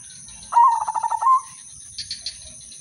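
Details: Prompting song of an udanmas silver zebra dove, meant to set other doves singing: a single rhythmic coo of rapid even pulses with a brief rising close, followed by soft, higher chirping.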